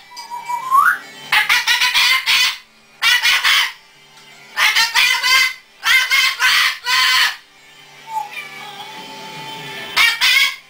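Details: A 15-year-old male umbrella cockatoo, alone in his cage, talks in loud, harsh, word-like bursts about every second or two after a brief rising whistle; his repertoire includes "hello", "I love you", dog-bark imitations, whistles and laughs.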